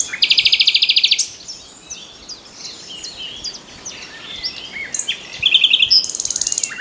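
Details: Two loud nightingale phrases, each a fast, regular trill of sharp repeated notes, separated by several seconds of softer varied warbling and faint background birdsong.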